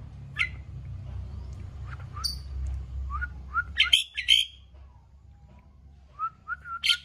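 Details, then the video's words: An Asian pied starling in full, vigorous song gives a varied, irregular run of clear whistles, squeaky chirps and sharp rising notes, over a steady low background hum. "Jalak suren gacor"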